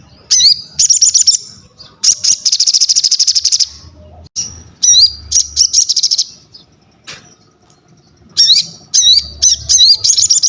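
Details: Crested jay calling vigorously, for training and luring birds: several loud, very fast, dry mechanical rattles mixed with squeaky twisting whistles and sharp chirps, in a quiet background.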